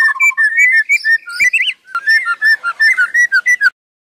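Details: Song of a white-rumped shama (murai) sung without a break: clear whistled notes and quick slurred phrases, some rising and falling, packed into bursts with a short gap midway, then silence at the end.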